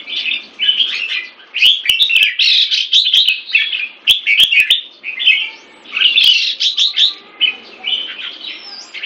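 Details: A molting Red-whiskered bulbul kept in a cage in Singapore delivers rapid warbled and whistled phrases, rising and falling notes packed close together, broken by brief gaps and a few sharp clicks.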